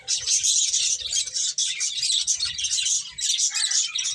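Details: Constant high twittering from finches busy eating, rapid overlapping chirps forming a steady bright chatter that barely eases over four seconds.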